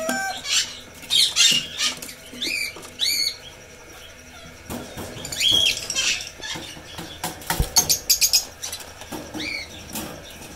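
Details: Red lory, a parrot species, producing a busy run of harsh squawks, arched whistled notes and rapid chattering bursts, with brief pauses between groups.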